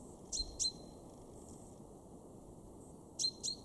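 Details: In a garden at Weener, East Frisia, Germany, March 2023, a male common chaffinch gives two pairs of quick, bright 'pink' calls about three seconds apart, with only faint hiss in between.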